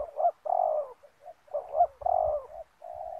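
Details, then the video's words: Spotted dove used as a decoy to lure wild doves toward ground snares: low, hooting coos in short bursts, some notes swelling then dipping, with brief pauses between phrases and faint low rumbling beneath. "Mikat Tekukur"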